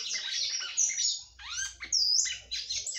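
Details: Red-cowled cardinal female singing to rouse the male: dense, chattering warbles with sharp whistled upslurs and a downward slurred note, with a short break in the middle.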